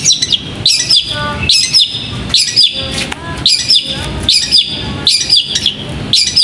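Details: Caged bird trained for singing competitions repeats a short, emphatic chirped phrase roughly every second, with faint lower whistled notes slipping in between the loud high phrases.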